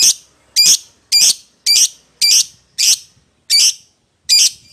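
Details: Lovebird calling out to its companion, a lure sound to attract a rival: harsh, high, squawky calls given singly about every half second, loud and clear over silence.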